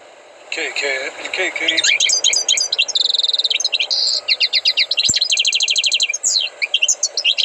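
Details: Tutored goldfinch in full song: a lower warbled opening gives way to a dense stream of high twitters, buzzy held notes and rapid clipped trills running for several seconds.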